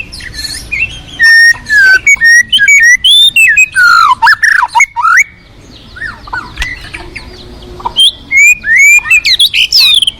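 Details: Forest white-rumped shama delivering a rich, fast song of bright whistles and rapid chattering notes, with a pause midway before the varied phrases resume.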